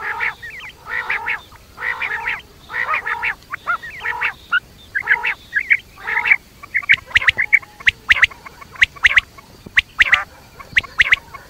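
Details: Quail heard at night: a steady series of rough, nasal, chattering phrases roughly every half second, shifting to sharp rapid ticking notes later on.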